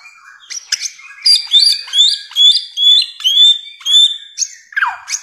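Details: Masteran song of the bare-throated whistler (samyong): a brisk series of short upslurred whistled notes, roughly two per second, each capped by a high chip, ending in a falling slurred note.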